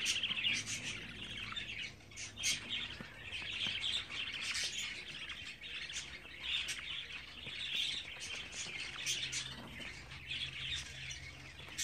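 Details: Budgerigar young, 24 days old: raspy begging-like chatter rising and falling in bursts, interspersed with quick sharp clicks and faint low background hum.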